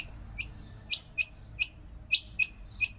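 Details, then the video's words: Quail calling in short sharp two-part notes, a high note dropping to a lower one, repeated about every quarter to half second in an irregular series, with a faint low hum behind. "King Quail| Rain Quail |Common Quail | Brown Quail | White Quail | Bush Quail | Button Quail sounds"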